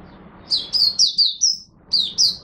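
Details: Caged Oriental white-eye in Singapore giving its opening song (buka sing) in humid, warm, rainy, overcast weather on 23 March 2023: two bursts of high, thin chirped notes sliding downward, a short pause between them.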